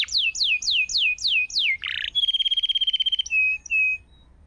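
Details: ['Gacor canary singing a masteran song meant to coax a quiet canary back into song: quick descending whistled slurs, a short buzzy burst, a long fast rattling trill, then flat sustained whistles.']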